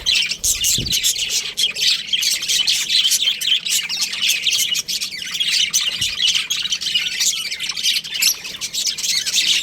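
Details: Continuous high-pitched chatter from baby budgerigars in an aviary, overlapping chirps and warbles running without a break, with a couple of faint low thumps in the background.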